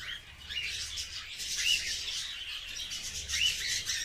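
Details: Cockatiels, some sitting on a cage in sunshine at home, one giving short, high chirps amid a busy wash of bright, scratchy chatter.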